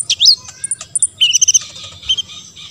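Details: Olive-backed sunbird, sung to prompt other sunbirds to respond: a dense jumble of very high twitters and short buzzy phrases in under three seconds.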